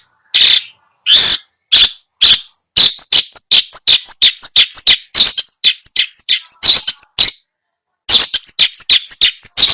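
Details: Long-tailed shrike song used as a training recording for a bird that has stopped singing: a rapid series of harsh, broadband rasping notes mixed with short high whistled slurs, delivered in bursts with brief pauses.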